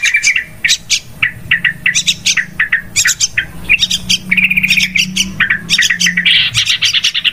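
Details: Yellow-vented bulbul lure call used for trapping, described as very noisy: dense, overlapping bursts of harsh chattering and squeaky notes, with rapid scratchy phrases following one another almost without pause over a steady low hum.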